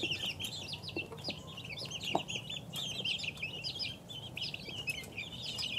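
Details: Two-week-old chicken chicks peep in a dense, overlapping chorus of short, high chirps, many rising or falling, with a low background rumble.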